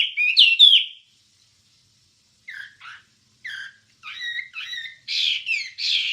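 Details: Wambie song as master recording to train songbirds: a loud twisting whistled opening, a pause, then scattered short chirps and paired notes, ending in dense, noisy, buzzy bursts.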